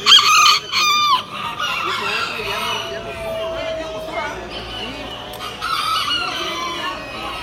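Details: Pied Aztec bantam rooster at the Expo "yekas" poultry show, October 20, 2019: a loud, harmonic-rich crow opens in the first second, then further crows and clucks from other birds mix with people talking in the hall.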